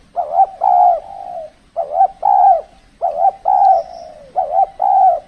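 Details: Spotted dove calling during decoy trapping in the cold, extreme season. Repeated hollow coo phrases, each a quick double note followed by a longer smooth tone, come roughly every second and a quarter in steady succession.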